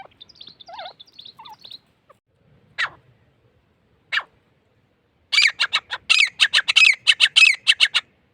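Grey francolin giving a loud, harsh, rapidly repeated series of screechy notes, after soft high twittering from another small bird and two sharp clicks.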